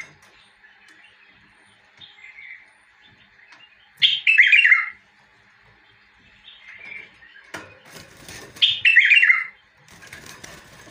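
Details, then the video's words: Bulbul song: two loud, rich warbled phrases of bubbling, slurred notes, each about a second long and some five seconds apart, with softer chattering notes between them. "تغريد بلبل"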